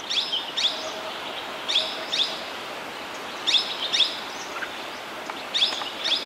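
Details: Red-whiskered bulbul (Pycnonotus jocosus), also called crested bulbul, at Yercaud hill station in fog, gives sharp, bright notes in pairs about two seconds apart over steady background hiss.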